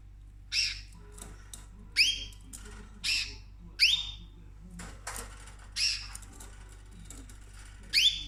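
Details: Household pet cockatoo, female, munching orchid blooms; a run of about eight loud, scratchy squawks, many with rising ringing tones, repeated roughly every second, plus faint clicks between calls.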